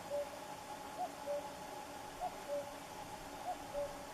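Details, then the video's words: Common cuckoo singing: a soft two-note 'cu-coo' with a higher short first note and a lower, longer second, repeated about every 1.2 seconds, four times, over a steady hiss of background noise. "El canto del cuco"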